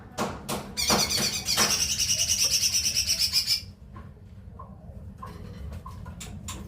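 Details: Leafbird, called cucak ijo mini, delivering a sustained rapid high-pitched trill lasting about three seconds, pulsing quickly and evenly. Sharp clicks come first and soft chips follow, over a low background hum.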